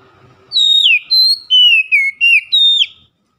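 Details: Oriental magpie-robin giving a loud daily lure song: six clear, pure whistled notes in quick succession, several sliding downward, some held level, delivered over about two and a half seconds with silence after.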